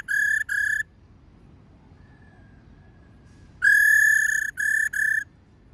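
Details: A female laughingthrush giving the 'ro ro' call that excites males: a pair of short buzzy notes, a pause of nearly three seconds, then a longer note followed by two shorter ones, all at one flat pitch.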